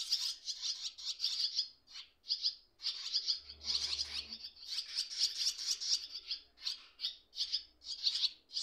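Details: Nestling swallows with their parents around the nest, one parent making a quick approach; dense, scratchy high chirping in rapid pulses, rising and falling in loudness, with a brief low rumble partway through.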